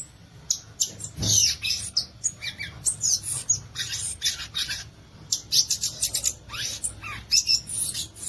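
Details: Violaceous euphonia song: a lively run of sharp, high chirps and short twittering phrases, some buzzy, given in quick bursts with brief pauses over about eight seconds.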